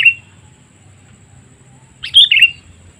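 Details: Sooty-headed bulbul calling as a lure for wild birds; a brief note at the start, then after a pause a loud sharp chirp followed by a falling slurred note, with faint steady background hum.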